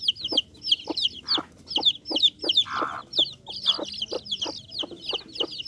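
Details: Chicks of the Bangkok chicken breed cheeping steadily: high, downward-sliding peeps repeated about three times a second, with occasional harsher, lower sounds behind them.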